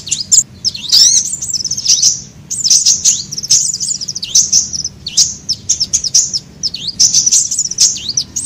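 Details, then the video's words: Sunbird lure sound for attracting birds: sharp, very high chirps and hooked whistled notes repeated in quick irregular sequence, about every second or two. "SUARA PIKAT KOLIBRI AMPUH"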